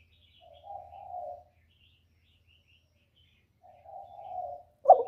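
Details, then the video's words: Spotted dove cooing used as a lure for trapping: two soft, low, drawn-out coos a few seconds apart, ending with a sudden short louder coo note, with faint distant chirps. "CHIM CU GÁY CƯỜM CỰC CHẤT, TIẾNG CHIM CU ĐI BẨY HIỆU QUẢ"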